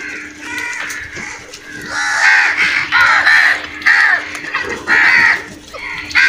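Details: Crows squabbling over food with a dense run of overlapping harsh caws, rising in loudness after the first two seconds and nearly continuous, over a faint constant hum.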